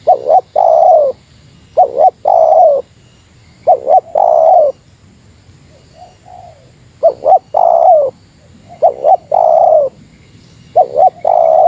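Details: Spotted dove in Meratus lure style challenging a rival, a steady run of phrases, each two clipped coos followed by a longer rolling coo, with brief pauses between phrases.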